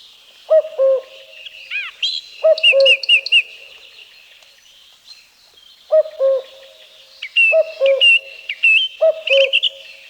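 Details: Common Cuckoo singing in a forest of Wielkopolski National Park, Poland, recorded 1990: five low two-note cu-coo calls, the second note lower, spaced irregularly, while a song thrush sings loud repeated whistled and chattering phrases above.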